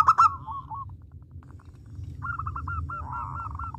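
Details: A local zebra dove (perkutut) sings, a recording meant as a lure for other birds: a quick run of soft, hooked cooing notes, each rising then dropping, after a sharp click, with a low hum underneath.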